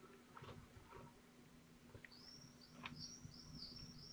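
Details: Falcon young, twelve days old, at Théding on 22 June 2023 feeding on prey. After faint rustles, a thin high whistle leads into a series of short arched squeaky notes, soft over background hum.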